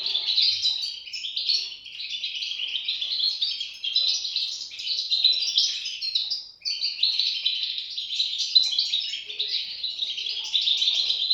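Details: Young European goldfinches beg in a steady stream of high, scratchy chirps and twitters, tightly overlapping, with one brief break midway before the calling resumes just as dense.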